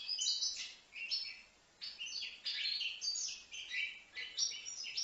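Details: Five-month-old young European goldfinch in Livno singing tinkling, twittering phrases of high chirps and quick slurs. Several short bursts are separated by small gaps, including a clear pause just before the two-second mark.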